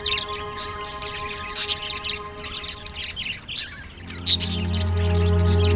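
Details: A pair of blue Mexican budgerigars chattering together in what looks like an intimate exchange: rapid, scratchy high chirps and squeaks in irregular bursts over a steady low hum, with two sharper squeaks near the end.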